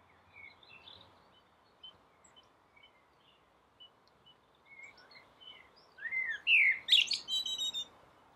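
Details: A blackbird sings from a roof at dawn, its phrase arriving late as clear descending whistles followed by a rapid high scratchy twitter, while other birds call faintly in the background.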